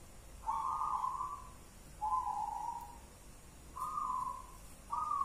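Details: Wild local zebra dove with a well-tuned song in the one-and-a-half engkel style: four steady, mellow coos, each about one second long, spaced more than a second apart, over light hiss.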